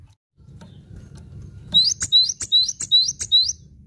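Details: Singing Cinereous tit on a tutor recording for caged songbirds: after quiet low hum, a steady run of five ringing two-note whistled phrases, each rising then jumping higher, about three per second.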